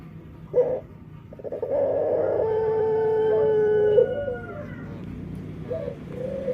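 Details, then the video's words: Dove with an odd, unique song: a short coo, then a long buzzy coo settling into a sustained steady hoot for about two seconds, followed by softer trailing coos over a low hum. "Suara Unik Burung Puter // Unique Sound Singing of dove"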